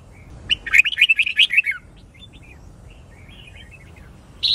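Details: Red-whiskered bulbul, white-cheeked, recorded to train birds to sing fighting song; one fast run of loud chirped notes falling slightly in pitch, then soft sparse twitters and a sudden sharp note at the end.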